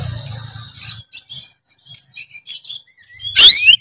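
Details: Oriental magpie-robin singing in a loud, open ngeplong style meant to provoke other magpie-robins: scattered short whistled notes and quick slurred phrases, ending in a sudden loud buzzy, rising burst, with a low rumble in the opening second.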